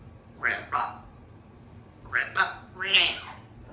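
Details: Baby female Congo African Grey parrot indoors practising her words; two quick husky syllables, a pause, then a rapid three-part phrase ending in a higher, strained note.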